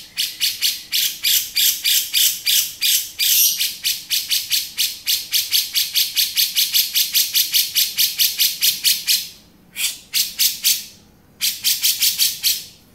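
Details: Male grey-cheeked bulbul delivering the 'beset' song: a sustained stream of grating, buzzy notes in quick regular succession, broken by two short silences near the end and then renewed.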